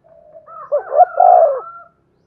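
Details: Spotted dove coo in the thổ đồng style, used to encourage newly caught doves to coo. One three-part phrase with rising notes and a long falling coo, overlaid by a thinner, steady higher tone from another caller.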